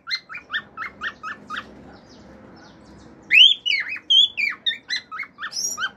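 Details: Male pet cockatiel singing at home, mixing natural songs, wolf whistles and clicks: a run of short, evenly spaced chirped notes, a pause, then loud rising and falling whistled sweeps followed by more chirps.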